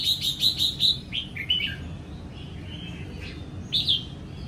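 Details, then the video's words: Newly moulted young Sông Kon red-whiskered bulbul in a cage in Vietnam, singing ché-style during morning sunbathing, 20 April 2022. A quick row of four sharp repeated chirps leads into descending warbles, then a later bright phrase. "Chào Mào Sông Kon Hót Ché Buổi Sáng"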